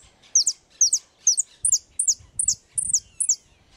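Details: European goldfinch in repique song: a tight, regular series of paired high, sharp, falling chirps, about two per second, with faint low rumbling behind.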